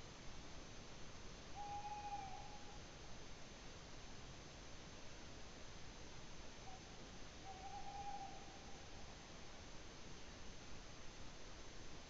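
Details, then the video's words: Tawny owl at Ūpis, Latvia, recorded 8 May 2017, sounding two brief flat hooting notes about six seconds apart amid a persistent hiss. "Tawny Owl call"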